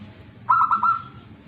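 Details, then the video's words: Tame local zebra dove cooing: one short rolling phrase of three mellow pulses ending in a brief drawn-out tone, over a low murmuring background. "perkutut lokal manggung jinak"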